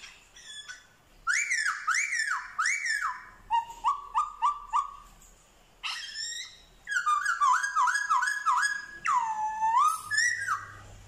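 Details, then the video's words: Black-throated laughingthrush (male) from Vietnam, 15 October 2021, mimicking dogs, cats and chickens. Rich harmonic notes in bursts, first arched whine-like slurs, then short rising notes in quick runs, then a series of swooping, meow-like phrases. "Khướu bạc má hót giả giọng chó mèo gà như thật"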